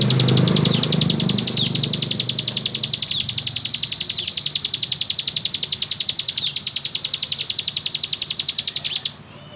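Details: Bar-winged prinia in full song, delivering one sustained high, rapid trill of evenly repeated sharp notes lasting about nine seconds before stopping abruptly, over low rumbling background noise.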